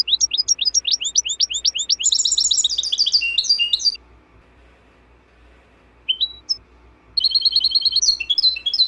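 European goldfinch in fast, liquid twittering song: high tinkling trills and buzzy notes in bursts of about four seconds, a short pause, then more.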